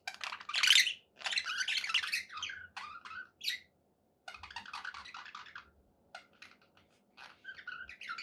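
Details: Happy pet budgerigars indoors: a loud scratchy burst, then scattered short chirps and squeaks, a second chattering run, and sparse thin notes at the end.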